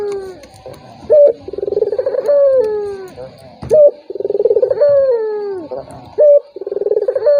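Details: Bait call of a turtle dove for a rival that stays silent: three cycles of a crisp rising note and a throbbing coo sliding lower, spaced about two and a half seconds apart.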